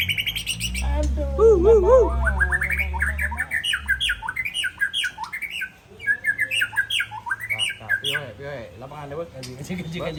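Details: Aceh white-rumped shama readied for a singing contest: a wavering low warble opens, then a varied run of rising and falling whistled phrases and chattering notes, with a low hum underneath.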